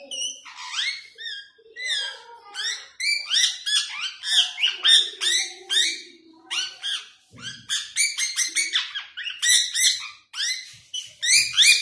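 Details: Pet ringneck parrot said to talk in Urdu and Hindi, repeating "Miaan Mitho"; rapid run of nasal, harmonic-rich chattering syllables, about three per second, with squawky upward and downward slurs and brief pauses between phrases.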